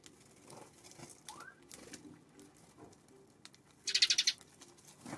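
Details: Eurasian tree sparrow calling on an April 25 afternoon: a loud, harsh burst of about six rapid, buzzy chirps in under half a second, preceded by a few faint scattered notes against quiet background noise.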